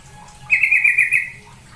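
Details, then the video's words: A tame yellow-vented bulbul, originally caught from the wild, gives one short, bubbly warbled phrase of rapid chirps that rise and fall, under a second long, against a quiet background; used as a lure call to prompt bulbuls to sing. "Pancingan suara trucukan agar bunyi"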